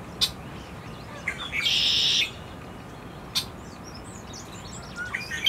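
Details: Lincoln's sparrow in America, 18 April 2018, gives a short, high, buzzy trill lasting under a second, set between a few sharp chips and faint twittering.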